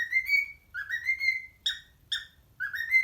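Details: Pet parrot whistling for its parrot friends in an Addams Family remix: clear, slightly rising whistled notes with bright overtones, two longer phrases then short sharp chirps, quiet low hum behind.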